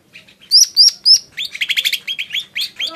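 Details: Three loud, clear, sharply rising whistles from a lesser green leafbird, followed by a quick series of buzzy, downslurred chirps repeated several times a second.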